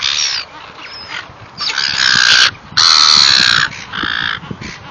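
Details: Gulls calling loudly while being fed: harsh, harmonic squealing cries, with two long drawn-out calls near the middle and shorter calls before and after.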